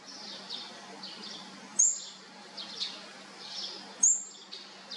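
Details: Olive-backed sunbird young, fourth brood, during feeding: two piercing high chirps about two seconds apart, separated by faint breathy rasps over a steady hiss.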